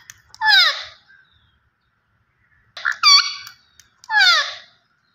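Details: Green ringneck parrot speaking in three separated bursts: a falling raspy syllable, a pair of sharper tonal notes, then another downward-sweeping squawk, with silence between.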